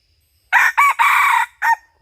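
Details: Crow of a red junglefowl from a hunting outing, 2022-2023: after a quiet start, four raucous bursts, a short one, another short one, a long drawn middle note and a clipped final note, on a silent background.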